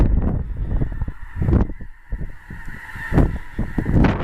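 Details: Migrating snow goose flocks during a blizzard at Clinton Lake, central Illinois, February; nasal honking calls from many birds overlap in irregular bursts over heavy low wind rumble and gusts.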